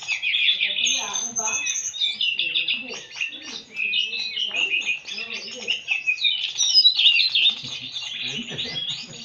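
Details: Murai, or white-rumped shama, matched against a telede'an gunung. A continuous stream of bright whistled phrases, trills and fast chirps tumbles on with no pause, while people chat nearby.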